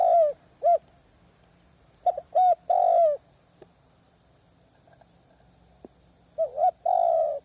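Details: Decoy spotted dove calling from a trapping hide in strong wind: short clipped coos, then paired notes leading into a long falling coo, repeated twice over a steady high-pitched hiss.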